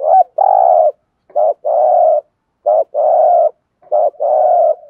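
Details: Thúc gù cooing of a spotted dove, a style used to excite and train decoy birds: four low two-part phrases, each a brief coo and then a drawn-out hollow one, evenly spaced in a quiet setting.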